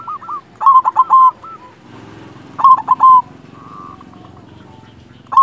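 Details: Silver local zebra dove song: two loud bursts of quick stuttered coos, each trailing into a few softer notes, with faint background hiss between phrases.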